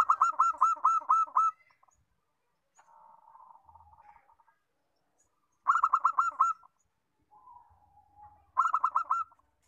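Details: Zebra dove (perkutut) singing rapid bursts of short, even staccato notes, roughly seven per burst, repeated three times, with softer lower warbling notes in the gaps.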